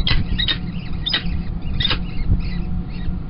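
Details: Peregrine falcon chicks at a nest at Kingston College on 28 April 2021, being fed as the female takes over from the male; short, harsh squealing bursts repeat about every half second over a steady low rumbling hum.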